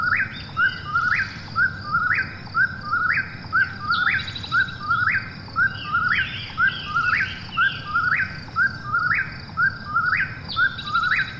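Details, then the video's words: Eastern whip-poor-will at night giving its rhythmic three-part phrase roughly every second, each ending in a quick upward sweep; a second, higher-pitched caller overlaps mid-sequence against faint background hum. "Eastern Whip-poor-will Call: Soothing Night Sounds"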